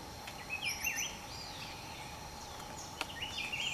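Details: Velvet-fronted Euphonia, an endemic, recorded at Cerro Quininí near Bogotá: short high chirps and wavering, slurred whistled notes, with a faint click and a constant low background hum.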